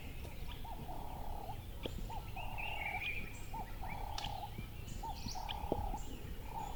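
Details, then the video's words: Birds calling: a repeated hooked whistle that slides down then holds steady, about once a second, with scattered higher chirps and a brief trill, over constant low rumbling noise. "Calming Birds Chirping Sound"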